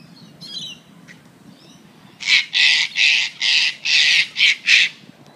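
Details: Wing-tagged Sulphur-crested cockatoos playing with a coffee cup at the Royal Botanical Gardens in Sydney, Australia; after faint chatter, seven loud, harsh, raspy screeches follow in quick succession, each about a third of a second long.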